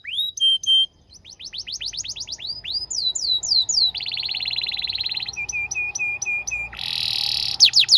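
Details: Canary singing for tutoring young birds: clipped chirps, then rapid series of falling whistles, a long buzzy roll, a run of flat repeated tones and another harsh roll.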